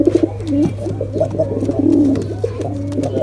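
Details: Male and female pigeons in a combined attack sound. Short, gurgling, low-pitched coos follow one another quickly, over a constant low mains hum.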